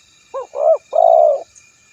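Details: Spotted dove call used to lure and provoke rivals: a soft short coo, a rising mellow note and a drawn-out steady coo, one phrase with silence around it.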